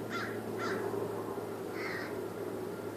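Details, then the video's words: Crows mobbing a raptor, giving alarm calls: three harsh, hoarse caws, two close together at the start and one a second later, over a steady low hum. "Crows Mobbing Raptor"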